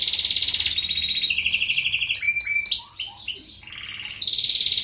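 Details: Song of a European goldfinch, offered to train canaries: rapid buzzy trills shifting between high and lower pitches, a burst of sharp falling whistles, then a renewed steady rolling trill.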